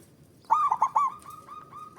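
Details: Male zebra dove call used to raise mating drive in a quiet bird: a burst of four rolling coos followed by a run of softer, evenly spaced, level cooing pulses.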